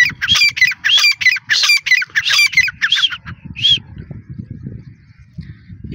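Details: Female grey francolin calling loudly: harsh, ringing notes in a fast rhythmic series that breaks off, with steady low background noise.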